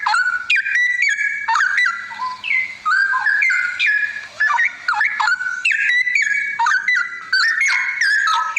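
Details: Straw-headed bulbul pouring out a continuous, melodious warble of fluty, gurgling whistles that swoop up and down, with only brief breaks between phrases.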